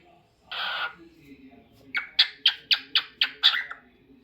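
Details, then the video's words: Lutino cockatiel making a raspy burst followed by a rapid series of seven sharp, clipped chirps at about four per second, indoors with low hum. "Cockatiel Crazy Singing Bird"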